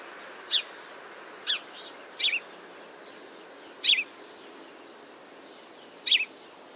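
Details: House sparrow, a weaver finch of urban areas in eastern North America, gives short, unmusical chirps and cheeps, some doubled, at an uneven pace of about one every second or two, over faint background hiss.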